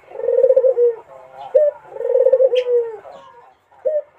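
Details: Melodious song of a Barbary dove trying to entice a rival: two long, low, quavering rolled coos that sag at the end, each followed by a brief upslurred note.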